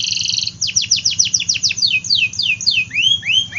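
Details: Lively AF canary used to stimulate reluctant and young canaries: brief piping trill, then a rapid series of steep downslurred notes, slowing into wider swooping whistles near the end, with a quiet low hum.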